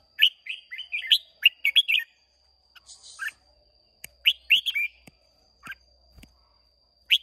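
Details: Competition singing by a caged red-whiskered bulbul from Hoà Bình, Vietnam, 30 May 2023: a rapid string of cheerful whistled notes, then quieter gaps broken by short two- and three-note phrases and a final sharp chirp.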